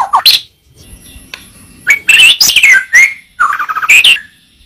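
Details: White-rumped shama in a tutor recording for training other birds: a varied, energetic song of harsh squawks, buzzy bursts and short rising whistles, delivered in quick phrases with brief gaps and a faint steady high hiss behind.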